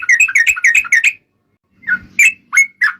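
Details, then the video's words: Sooty-headed bulbul song meant as a lure to encourage other birds to sing: a quick run of rich, chattering notes, a short gap, then a few separate whistled and slurred phrases. "PANCINGAN TRUCUKAN GACOR,BIKIN SUARA PIKAT BURUNG TRUCUKAN KAMU,SEKETIKA RAJIN BUNYI BUKA PARUH..!!!"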